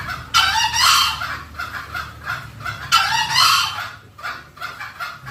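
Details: Lure recording of green junglefowl for attracting wild birds: two harsh, broad, crowing bursts about two and a half seconds apart, with quieter clucking notes between and after.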